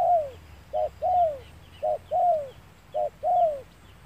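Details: Spotted dove at a lure-bird trap on a sunny day, giving three close pairs of coos: a brief low note followed by a longer one that slides downward, with quiet background chirps.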